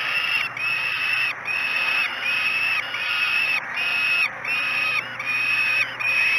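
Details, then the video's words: Great Spirit Bluff falcon chicks begging at a morning feeding, June 2016; long, even, harsh screams with a flat top, repeated about eighty times a minute with brief gaps between them. "Breakfast 3. Great Spirit Bluff Falcons."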